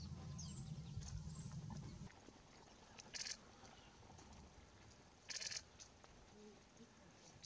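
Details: Olive-backed pipit on St Mary's, Isles of Scilly, 30 October 2018, in bright sunlight: two thin, high, buzzy 'tseez' calls about two seconds apart, over wind rumble and faint background noise.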